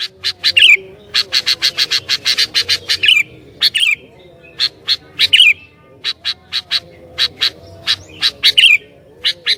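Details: Lively sooty-headed bulbul, described as skilled at provoking other bulbuls, delivers rapid runs of crisp chirps broken by brief slurred whistles, pausing once near the middle, with a soft low hum behind.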